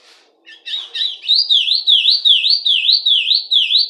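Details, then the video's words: Rusty-collared seedeater song, played to teach young birds, opening with a few scratchy chattered notes, then a fast series of clear whistled notes, each dipping down and sweeping back up, repeated about two and a half times per second. "CANTO DA COLEIRO DO BREJO PARA ENCARTE!!!"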